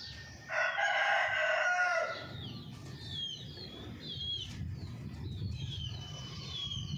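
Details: Indian Golden Misri chicken calling: one strong, rasping, sustained harmonic call lasting roughly one and a half seconds, then quieter high chirps and twitters of small wild birds over low rural background noise.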